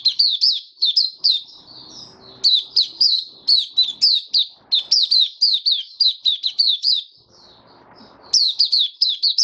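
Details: Kept white-eye in open song, March 2022, warm humid season: long runs of fast, high, bright chirping notes, each slurring downward, broken by brief gaps with soft low room noise.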